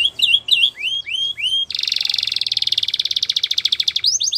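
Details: Canary singing a training song: a run of high, rising slurred notes, then a long, fast buzzy trill that breaks into more upward-swept notes.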